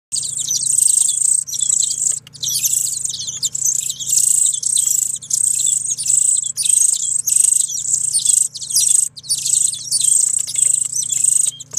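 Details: Hungry greenfinch chicks being cared for at an animal welfare centre in Guernsey beg in a thin, high, wheezy chorus: harsh chittering bursts about a second long with brief pauses, over a faint low hum.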